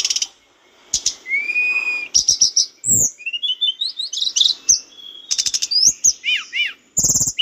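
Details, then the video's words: Mountain bush lark song used as a training recording for caged birds, a busy continuous medley of high chirps, a long rising whistle, rapid trills and looping slurred notes with brief clicks between phrases. "masteran tledekan gunung gacor"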